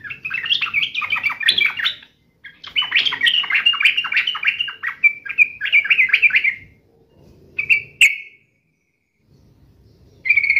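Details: Agitated sooty-headed bulbul in fighting mode pouring out long bursts of rapid chattering notes, followed by a few short clear calls separated by pauses.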